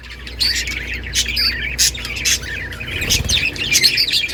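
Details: Budgies kept as a breeding colony give high, twittering chirps and quick chattering phrases from several birds, over a steady low mechanical hum and a brief soft thump near the end.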